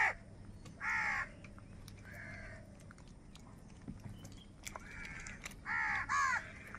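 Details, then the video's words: Crows fighting for food make scattered hoarse caws, a few harsh notes separated by long quiet stretches, over a low steady hum. "Crow Sound of Kaka | Clear Crystal Crow Bird Crowing Sounds | Crow Bird live Crowing Sounds"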